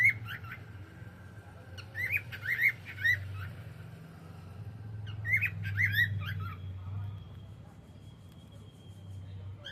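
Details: Cockatiel singing in the evening: two bursts of three or four arched whistled chirps, then a long thin steady tone, over a constant low rumble.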